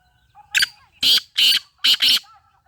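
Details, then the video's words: Black francolin, known locally as Sindhi teetar, giving its loud, harsh, grating call: a short opening note, two longer rasping notes, then a quick closing pair, all within about two seconds; faint chirps behind. "sindhi teetar ki awaz"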